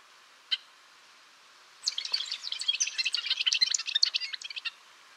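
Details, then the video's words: Golden-rumped euphonia (gaturamo-rei) singing: a single sharp note, then a rapid three-second jumble of high, scratchy twitters and chips with no other sounds. "Canto do Gaturamo Rei / Gaturamo de Cabeça Azul | Golden-rumped Euphonia"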